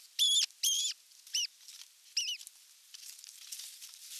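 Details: Evening feeding at an osprey nest, 30 June 2022, on a nest camera: a few loud, strained whistled calls near the start, then softer ones and faint rustling or tearing noises.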